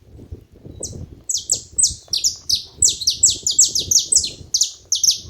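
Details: Several saffron finches together, giving a steady stream of sharp, high, descending chirps, several per second and partly overlapping, above faint low background noise.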